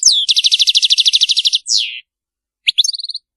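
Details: Brief flawless Maliki-style phrase by a European goldfinch: a downslurred whistle, a rapid pulsed buzzy trill of about fifteen notes, a falling slur, then a few sharp chirps.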